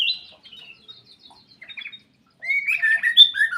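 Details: Aviary black-capped bulbul giving soft twittering notes, then a brief pause before a louder, fuller run of warbled whistles that rises and falls.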